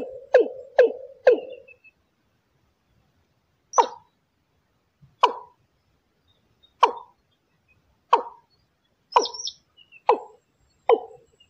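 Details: Lure call of the watercock for trapping: a fast burst of three hollow booming plops, a pause, then single deep gulping notes spaced about one to one and a half seconds apart, with faint high chirps in places.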